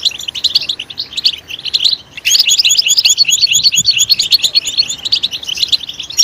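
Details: European goldfinch singing loudly to encourage other goldfinches: after a short break, a rushing stream of bright twittered notes, buzzy and tinkling, about two per second in loose clusters.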